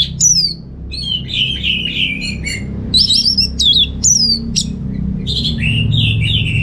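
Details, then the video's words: Singing orange-headed thrush, caged, North Bali: loud high whistles alternate with lower slurred warbles in several varied phrases, steady low indoor hum beneath. "Receh & Jos Suara ANIS MERAH Berkicau"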